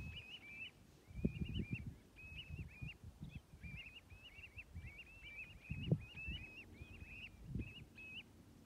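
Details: A flock of 65 common ringed plovers at Stornäset, Alnö, Sweden, on 7 October 2021, calling together: a steady stream of soft, rising two-note whistles, overlapping almost constantly, over low wind rumble.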